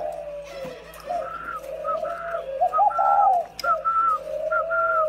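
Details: Pair of caged spotted doves cooing: soft, low, wavering coos in a rough rhythm around once a second, overlaid by short higher whistled notes and a constant low hum.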